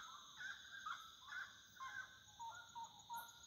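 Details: Wood rail singing at nightfall gives a run of about eight short, nasal notes, quickening then settling lower, over a steady high hum of insects.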